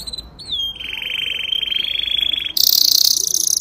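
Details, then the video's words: Young canary singing: a clear whistled note bends upward, then holds as a steady pulsing trill on one pitch, then switches abruptly to a very high, harsh, rapid buzzing roll, over a hissy background. "Chant canari jeune magnifique"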